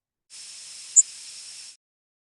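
A single very high, thin, buzzy zeep from a Yellow Warbler, a brief flight note over steady recording hiss.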